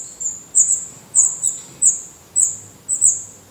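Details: Black redstart chicks in a nest in Portugal, eyes open and feathers coming in, beg with high, thin hissing notes in paired bursts, roughly two per second.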